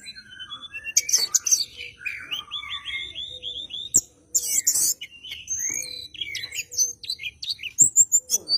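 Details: Bar-winged prinia in a fighting mood, seeking a rival, used to prompt white-rumped shamas to sing; fast varied song of sharp chirps, descending whistled notes and dense high rattling bursts, nearly continuous.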